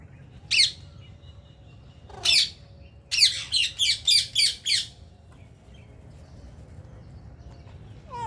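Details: Ring-necked parrots from India give single harsh squawks, then a rapid run of five raspy screeches, each about half a second apart; silence follows, with a faint rising squeal at the end.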